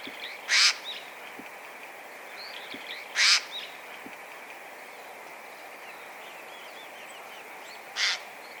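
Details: Eurasian jay calling nearby: three rasping screeches, each a short noisy burst, spaced roughly three and five seconds apart, with soft high twittering from other birds and a constant hiss behind.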